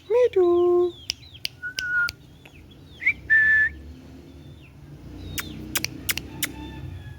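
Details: Pet green ringneck parrot utters a sustained, speech-like harmonic sound, then soft whistles and a rising whistle held briefly, with scattered clicking ticks later on.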